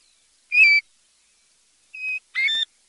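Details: European golden plover giving three clear, plaintive whistled notes, the first slightly falling and the later ones shorter, spaced over about two seconds against a silent background.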